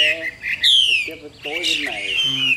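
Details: Chinese hwamei kept in a cage, yellow beak: clear high whistles, one long note sliding downward, interleaved with lower rich harmonic notes and a final long falling whistle.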